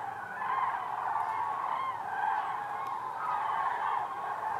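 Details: Common cranes on autumn migration over central Germany, Hessen, in October, thousands flying overhead toward southwest Spain: overlapping loud trumpeting calls from the flock, rising and falling in waves, continuous throughout.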